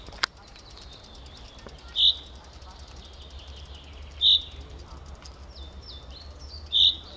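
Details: A singing common chaffinch (Fringilla coelebs) gives three short, bright, high notes about two seconds apart, with faint chirps from other birds and soft hiss; Ivanovo, Russia, 8 May 2016.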